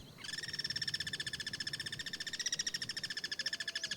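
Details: Guira cuckoo calling in the wild, cross-singing with others: a long, dense, harsh pulsed rattle of ringing nasal notes, rapid and continuous for about four seconds, with low rumbling background noise beneath.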